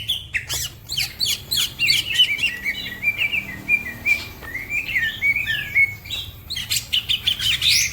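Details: Green leafbird singing fast and energetically: a continuous stream of sliding whistles and chattering notes, rapid downward sweeps early on, then warbled phrases around 2–3k, while other birds chirp in the background over a faint low hum.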